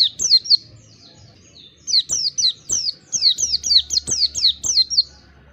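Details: Oriental white-eye sounds used as therapy so a kept bird opens its beak and sings: irregular clusters of high, falling whistled notes with brief gaps, plus a low steady hum and scattered clicks.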